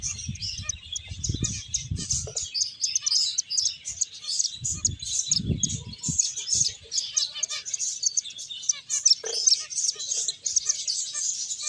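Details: Several finches playing and eating, giving dense, rapid high-pitched chirps and tweets that overlap continuously, with soft low thumps near the start and middle.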